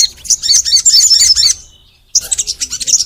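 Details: Crimson sunbird, a kept songbird, singing with long energetic bursts meant to stimulate other sunbirds: a dense rapid jumble of very high twittering notes for a second and a half, a pause, then the chattering resumes.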